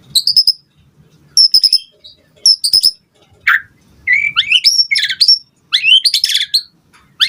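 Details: White-rumped shama singing as a lure for other birds to answer: short high clipped notes at first, then harsher, buzzy rising phrases and squawky twitters.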